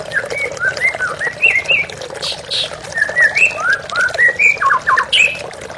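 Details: White-rumped shama song recorded for therapy: a sequence of clear slurred whistles, each a short rising-falling note, repeated at a lively pace, ending in a few buzzy notes, with water running throughout.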